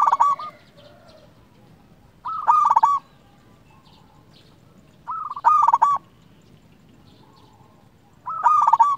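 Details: Vigorously singing local zebra dove, used to lure and provoke others to answer: four rolling, bubbling coo phrases spaced roughly three seconds apart, with near silence between.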